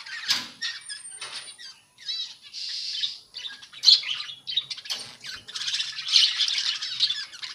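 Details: Budgerigars living as a colony rather than caged, uttering scattered squawks, short warbles and sharp chirps in irregular bursts, overlapping into a busier chattering chorus toward the end.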